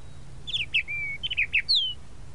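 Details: Tropical mockingbird, known in Brazil as sabiá-da-praia, singing a short phrase of clear whistled and trilled notes, including a long even whistle and a final descending slurred note, over quiet low background noise.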